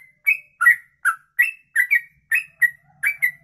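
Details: Yellow-vented bulbul in long 'ropelan' song, recorded to tutor other birds: crisp two-part whistled chirps, one sliding up then down, spaced roughly three per second over faint background hum.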